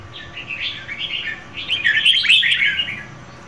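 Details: Red-whiskered bulbul female singing to stimulate a male: a soft warbled opening phrase, then a louder, busier burst of chattering, slurred whistled notes that swells and fades.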